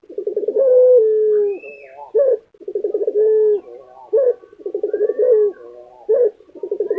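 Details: Kept lutino Barbary dove from Indonesia cooing persistently: three rolling, pulsed coo phrases each ending in a sustained low note, separated by short rising single coos, in a quiet indoor setting.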